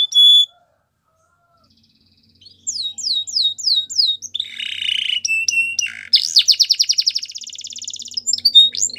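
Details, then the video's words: Belgian canary singing for training: a short whistle, a silent pause, then repeated rising notes, a harsh buzzy phrase, and a long rapid trill with higher notes after. "Belgian Canary Singing"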